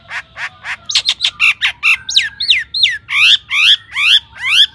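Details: Lure song of a long-tailed shrike in full 'gacor' mode: a lively mixed phrase of harsh notes, upward-swept whistles and squeaky slurs, ending in loud rising buzzy notes about twice a second.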